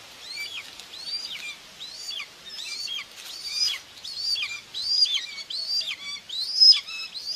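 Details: During feeding of two chicks by their mother at a common buzzard nest in Tiszalök, Hungary, 2 June 2024, high, thin whistled calls fall in pitch and repeat in a quickening, overlapping run.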